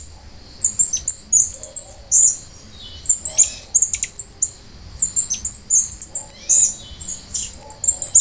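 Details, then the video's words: Costa Rican brushfinch, a species native to Costa Rica and Panama, singing repeated phrases of very high, thin, rapid whistled notes in bursts of about two seconds with short pauses between. "O canto do Tico Tico da costa rica ( Arremon costaricensis )"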